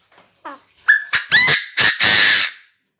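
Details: Captive decoy Chinese francolin calling the flock: a few thin rising notes, then a string of loud, harsh, grating syllables, the last ones long and rasping, closing in silence.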